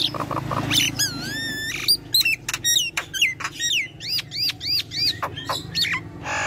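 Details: Nias hill myna singing energetically: a series of bright, looping whistles that swoop up and down, broken by sharp clicks and snaps, with notes spaced about half a second apart and a low hum underneath.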